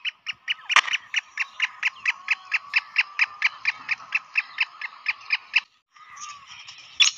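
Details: Black francolin (kala teetar) call used to quickly attract francolins and excite them: a long, steady run of harsh, rasping notes about two per second, then a brief pause and softer grating calls.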